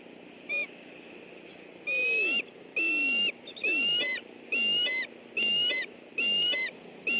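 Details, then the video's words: Bald eagle in southwest Florida, December 28, 2013, defending its nest and family as an intruder approaches: a series of high, thin, piping calls with sharp downward-sliding starts, repeated roughly every second, carrying clearly over a quiet background. "Ozzie Defends His Family - Intruder Approaches Nest"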